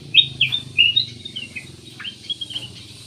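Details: Black-naped oriole song offered as a lure to set other birds singing: a few clear slurred whistles and chirps, falling and rising, fading into softer twitters over a faint low hum.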